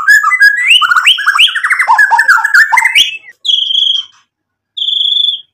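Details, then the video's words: White-rumped shama song used as a lure to provoke a reply: rich, varied run of whistled and warbled phrases for three seconds, then two long, steady high whistles separated by silence. "MURAI BATU GACOR buat PANCINGAN agar BUNYI NYAUT emosi"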